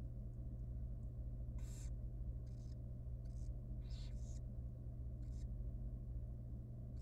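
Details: Young wild barn owl nestling fed inside a research nest box: irregular hisses of varying strength, one loud rasp followed by softer, scattered ones and small ticks, over a constant low hum.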